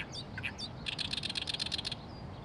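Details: Oriental reed warbler in Oyama, Tochigi Prefecture, Japan: a few sharp high notes, then a fast harsh chattering run of about ten rasping pulses in under a second, over steady low background rumble.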